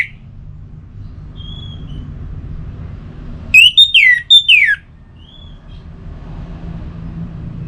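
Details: Orange-headed thrush from Singaraja, North Bali, used to stimulate singing; soft faint whistles, then a loud short phrase of four rich downslurred whistled notes, followed by quiet room background.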